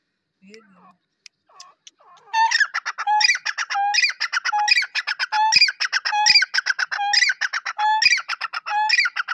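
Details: Following a few faint low sounds, a black francolin delivers about seven seconds of harsh, clicking chatter broken by regular short, low whistled notes and sharper rising squeaks, repeating steadily.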